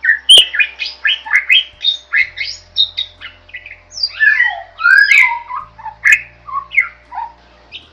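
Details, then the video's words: Long, lively jalak (starling) song for masteran: a nearly continuous jumble of chirps, whistles, buzzy slurs and harsh squeaks, varying constantly in pitch, a sharp click near the start and a soft low hum throughout. "Suara Burung JALAK GACOR, Bisa Untuk Masteran"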